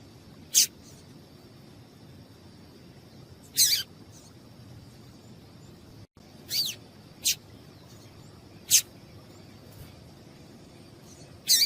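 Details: Female double-collared seedeater calling, used to stir a male into singing; seven short, sharp, very high chirps, some with a downward sweep, spaced irregularly one to three seconds apart over a faint low hum.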